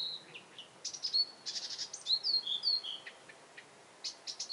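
Blyth's reed warbler singing a varied, high-pitched string of whistles, clicks and slurred notes.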